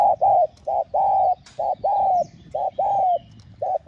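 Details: Repeated spotted dove cooing from a call, urge and coo sequence for stimulating newly caught doves; steady alternation of short and long hollow coos, about nine notes in under four seconds, with a faint rustle.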